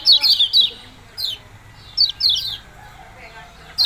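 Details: Yellow-bellied prinia calling with short, bright, descending chip notes, given in pairs and small clusters separated by brief pauses.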